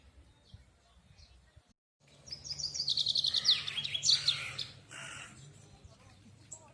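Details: A songbird in Yubileiny Park, Kremenchuk, Ukraine, gives a fast high trill of sharp repeated notes lasting about two seconds, with faint other birds and low background hum.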